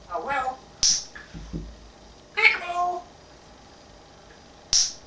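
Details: Pet African grey parrot at home imitating speech and household sounds: a brief voiced phrase, two sharp clicks, and a stacked, wavering tonal syllable.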